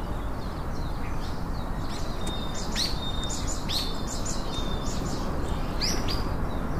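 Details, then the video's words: Chopi blackbird song of quick high chips mixed with brief flat whistled notes, grouped in short phrases, set against a heavy, steady low-pitched background roar. "Champin do Pantano- lindo de mais"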